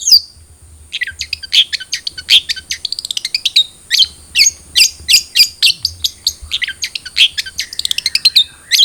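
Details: Cendet trotol, a long-tailed shrike, sounds used as a lure so a captive bird starts singing: fast, varied chattering song of clipped high notes and trills, continuous and lively throughout.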